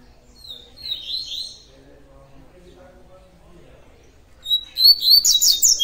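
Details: Double-collared seedeater, tui tui song style, giving a short soft phrase of high sliding whistles, then quiet, then a loud, rapid, bright burst of twittering notes at the end.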